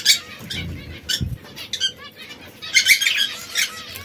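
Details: Three canaries of different colours, red, yellow and brown, squabble now and then. Brief harsh chirps and a few ringing notes are followed by a dense burst of rapid chirping, with wing flapping and low rumbling noise.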